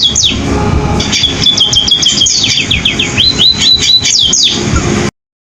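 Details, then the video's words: Sparrow (pipit) with a canary-like song of fast high chirps, a sustained whistled tone, and a rapid series of downward-sweeping slurred notes, ending abruptly in silence. Low background hum throughout. "burung pipit rasa kenari"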